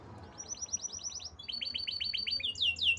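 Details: Canary giving two runs of quick repeated high chirps, about eight notes each, followed by louder sweeping whistles, over a low rumbling background.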